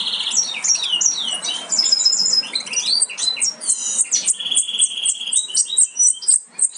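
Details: Several European goldfinch nestlings about to fledge, from a Major aminet-carrier and Parva Ancestral cross, keep up a crowded, high chattering of squeaky chirps and short trills, with sharp clicks throughout.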